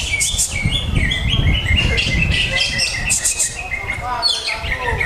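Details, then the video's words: Greater green leafbird, Jet Li style song: fast, repeated chirping and whistled phrases, roughly two per second, stepping between pitches with buzzy higher bursts, over steady low-frequency background noise. "Lagu Mewah Cucak Hijau JET LI"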